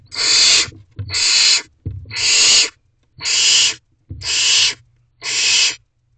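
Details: Late-night food drop-off to barn owlets in a nest box, May: six steady breathy screeching hisses in a regular rhythm, about one per second, broad and harsh, with low thumps from movement beneath.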